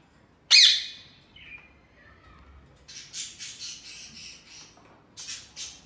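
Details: Caged ring-necked parakeets let out indoors: one sharp, loud screech, then softer sliding notes and a series of quieter, rasping chatter calls.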